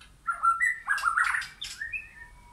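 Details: White-rumped shama in a backyard forest, wild or caged: a short phrase of clear level whistles followed by a burst of harsher chattering notes, then a final thin whistle.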